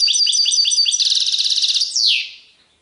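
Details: Goldfinch song, serfati tiwawati style: a quick series of bright repeated tinkling notes merging into a fast buzzy trill, closing with a loud downward-sweeping whistle that fades out.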